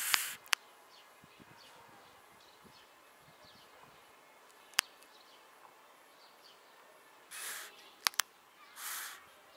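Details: Long-eared owl chicks in Krasnodar Krai, Russia, give two drawn-out, hissing squeals about a second and a half apart, between sharp clicks and faint bird calls in the background.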